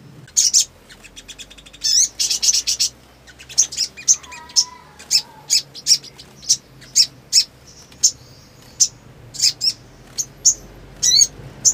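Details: Black sunbird singing scattered high, sharp chirps spaced about every half second, with a few short trills early on and a faint lower warbling note partway through.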